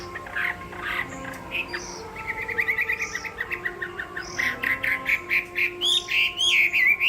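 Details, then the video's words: Chinese hwamei singing in a contest: quiet scattered notes build into a rapid series of short repeated whistled notes, then louder, rising, ringing whistles at the end. "Họa mi hót đấu hay"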